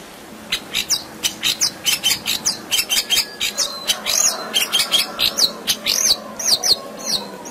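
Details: Long-tailed shrike giving a 'full isian' song meant to stimulate birds reluctant to sing: a steady series of harsh, scratchy chattering notes roughly every half second, interspersed with brief squeaky twitters.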